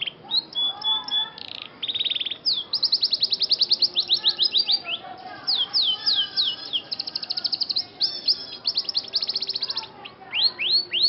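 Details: Song of a Scotch Fancy canary in training, made of long runs of rapid repeated downward-slurred notes, buzzy rolls and a few thin whistles, delivered almost without a break.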